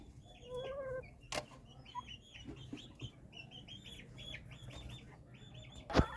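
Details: White Silkie chickens kept at a farm in Taxila/Wah, Punjab, Pakistan: a quick run of thin, high arched peeps repeated several times a second, one lower wavering note first, and sharp clicks, including a loud knock at the end.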